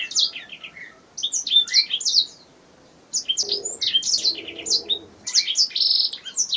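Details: Canary chattering song used to train other songbirds: bursts of high, quick twittering and trilled phrases separated by short silent gaps, one phrase ending in a sustained buzzy note, with a soft lower murmur beneath the middle section.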